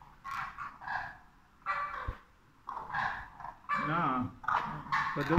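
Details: Demoiselle cranes (Grus virgo) on a crane farm give harsh, nasal honking calls in short bursts about once a second, overlapped by people talking nearby.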